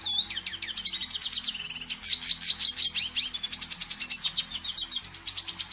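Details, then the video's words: A red siskin sings a fast, continuous twittering song of high buzzy trills and sweet chirps, with quick rising and falling notes; a faint low hum lies underneath. "Pintassilgo da Venezuela (Spinus cucullatus ou Carduelis cucullata)"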